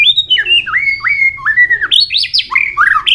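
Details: White-rumped shama in heated contest singing with constant tail flicking, in a song of many voices: a rapid, loud stream of rich whistled notes, with dipping and rising slurs and some buzzy, stacked phrases, delivered almost without pause.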